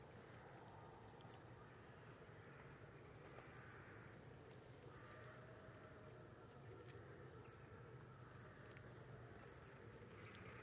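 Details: Wallcreeper wintering in the Czech Republic, moulting toward breeding plumage, utters bursts of sharp, very high chirps in quick series separated by pauses of a second or more, with soft background hum.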